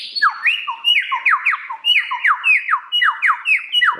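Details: Lyrebird producing a rapid run of repeated downward-sliding whistled notes, about four per second, forming a continuous cascading phrase with a faint high tone above.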